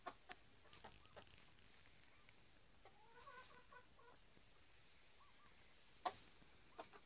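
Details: Domestic Piñeira hens at home giving a run of rapid, gently pitched harmonic clucks in the middle, a couple of short rounded notes afterwards, and sharp knocks and clicks near the start and end.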